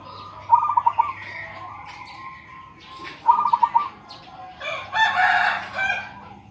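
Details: Local zebra dove, a perkutut with a big voice, gives two rapid, bubbling strings of coo notes about three seconds apart. A rooster crows loudly near the end over a faint background hum.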